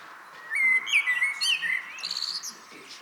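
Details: Common blackbird's evening song phrase: loud, liquid, flute-like whistles, wavering and looping, running straight into a rapid squeaky high-pitched twittering finish.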